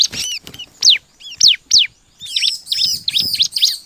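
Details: Bar-winged prinia song played as a lure to set other birds singing: sharp descending high notes repeated about every half second, then a dense run of quick arched chirps, with faint rustling below.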